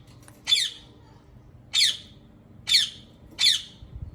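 A rose-ringed parakeet gives four harsh, grating squawks, spaced about a second apart, each a short burst of high, rasping noise in a quiet room.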